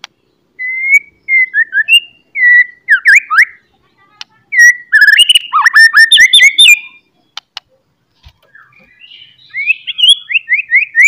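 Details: Morning song of a White-rumped shama, loud and varied, intended to fire up a fighter shama: clear whistled phrases that rise and fall, broken by quick trills and chattering runs, with pauses between the bursts.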